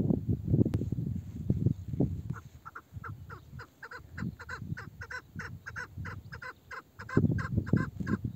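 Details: Female chukar partridge (meri), an old bird with a male-sounding voice: after low thumps, a series of quick raspy clucks starts, repeating about twice a second for several seconds before handling noise returns.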